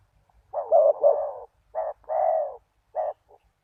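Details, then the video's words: Spotted dove cooing to lure wild doves, in an uneven run. A drawn-out wavering double coo, then a short note and a long steady one, then a single clipped coo and a faint last note. "Chim cu gáy chiêu kích mồi"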